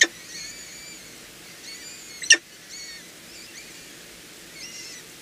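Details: Peregrine falcons at a nest in Heidelberg during feeding, 7 April 2020, early afternoon: a series of thin, harmonic, whistled squeals, each slightly drawn out and bending, repeated irregularly, with a sharp click midway and a steady background hiss.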